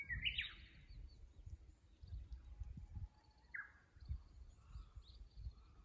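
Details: Japanese bush warbler singing, caught by a fixed camera beside the Kusu tank road in Japan on 24 April 2025: a faint, low, steady whistle, then a quick rising, bubbling flourish, with a brighter flourish opening the clip over a low outdoor rumble.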